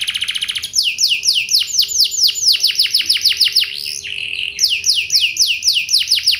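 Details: Canary lure song for coaxing other canaries to sing back: a fast pulsed opening, long runs of quick downward-swept notes, a brief steady trill, then more sweeping phrases.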